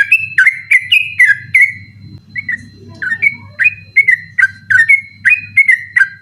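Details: Sooty-headed bulbul singing insistently at night, used as a tutor recording for other birds: a fast chain of bright whistled notes, rising and falling, briefly pausing then resuming in quick succession over a faint low hum.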